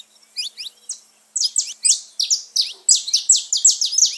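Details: Song of the saffron finch, used to excite caged birds. A few thin rising chips give way to a rapid, loud series of high descending notes, repeated about three times a second.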